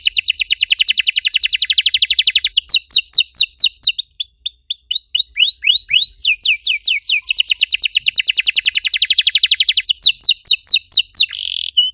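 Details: Canary training song meant to prompt silent canaries into singing: long, loud run of rapid descending whistled notes in fast trills, changing speed and pitch repeatedly, ending with a short buzzy roll.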